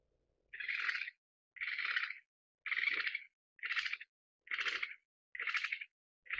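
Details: An Australasian grass owl (Tyto longimembris pithecops) gives harsh, breathy rasping hisses, seven in about six seconds at a steady pace of roughly one per second, with silence between.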